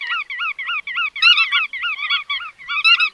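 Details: Bar-tailed godwit flock calling in rapid, nasal, wavy notes roughly three per second, with several birds overlapping in a louder burst midway.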